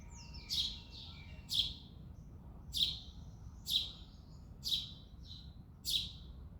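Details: Male house sparrow on a February morning, giving seven loud, sharp chirps roughly one per second, each a brief downward-sweeping burst, over a low steady background rumble.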